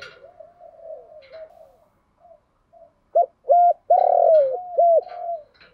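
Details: Spotted dove decoy cooing to excite wild doves: a drawn-out soft wavering coo, a pause, then loud rapid coos ending in a strong booming note and a falling tail.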